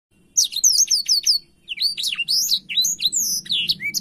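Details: A blackthroat singing energetically and spreading its wings: after a brief silence, quick high whistled slurs rise and fall in rapid succession, break off at about one and a half seconds, then resume in a chattering stream.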